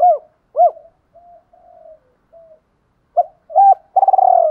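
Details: Provoking fight coos from spotted doves, males and females, used as decoys for trained birds: two sharp rising-falling notes, soft hesitant low coos, then two more clipped notes leading into a strong pulsing coo.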